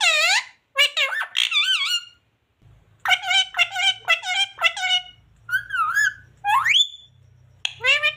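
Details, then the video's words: Parrot talking, said to speak the words mummy, papa and radhe radhe; clear, harmonic, voice-like phrases with sliding, swooping pitch, in bursts separated by short pauses, a soft low hum underneath. "Parrot talking mummy papa talking radhe radhe राधे राधे बोलने"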